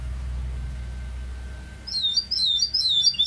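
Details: Goldfinch mule bursting into song after a quiet pause: a quick tumbling sequence of high, wavering, twittering notes, with low hum underneath.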